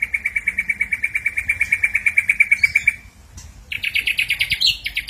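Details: Ashy drongo giving a steady rapid string of pulsed notes at one middle pitch, then after a pause a higher rasping trilled phrase.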